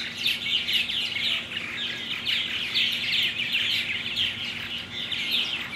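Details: Many purple martins (Progne subis), recorded 17 June 2009, chatter at once in a steady stream of gurgling, high chirps and creaky warbles, with no pauses and a faint background hum.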